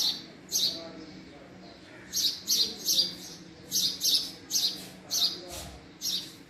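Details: Call of a male house sparrow: crisp, high chirps delivered in clusters of two or three, separated by short silences.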